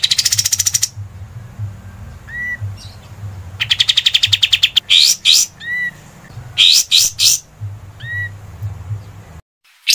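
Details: A scarlet-headed flowerpecker sings as a tutor bird: fast, high, buzzy ticking bursts and sharp sweeping notes, mixed with short clear upslurred whistles repeated every few seconds, over a low hum.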